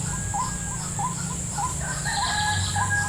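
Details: White-breasted waterhen drawn to a trap in a salak palm orchard: a fast series of short, upward-hooked, whistled notes, about three each second, over a steady high hiss and low rumbling background noise.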